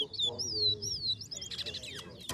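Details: Contest song of a towa towa: long sweeping whistled glides followed by a burst of fast buzzy notes and a sharp click, with low background rumble.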